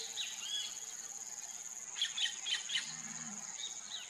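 A White-fronted Woodpecker gives short, sharp high notes, bunched in a quick burst of four, over a steady shrill insect drone.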